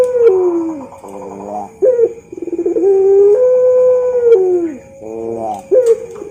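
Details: Champion Barbary dove performing pelung-style song as a training model: long sustained coos that slide gently downward, separated by quick stuttering rolls, repeated several times.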